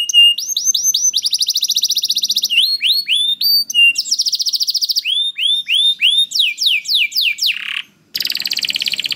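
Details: Canary singing, meant to set off other canaries' song: short trills and a long rapid roll, then slow rising slurs, a brief silence, and a buzzy roll at the end.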